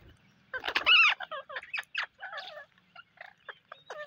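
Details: During a rainy day, parrots give a loud, harsh, harmonic squawk, followed by a string of shorter grating calls spaced irregularly, with quiet gaps between them.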